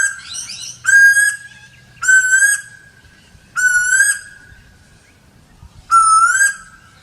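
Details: Asian koel, locally called tuwur asia: clear, mellow whistled notes of middle pitch, each rising slightly at the end, repeated about once a second with short pauses.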